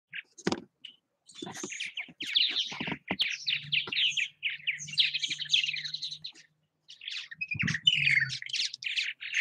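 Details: Purple martins active at nest houses in Southwest Missouri, giving a busy mix of gurgling, chirping notes and croaky warbles, with a low hum and a few thumps underneath.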